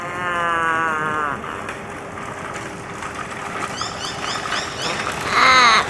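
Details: An Australian raven (Corvus coronoides coronoides) in Sydney, 19 November 2024, gives an odd, chatty run of sounds: a long wavering nasal note, then soft clicks and a sudden loud warbling burst. Faint background hum throughout.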